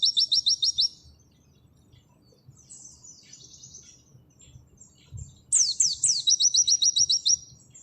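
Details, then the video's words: 'Nembak' song of an Oriental white-eye, auri type, recorded as training material: a brisk burst of piercing repeated notes, a softer thin trill, then falling whistled sweeps leading into another quick series of sharp chips. "Masteran full materi burung pleci nembak sejalur Pleci auri"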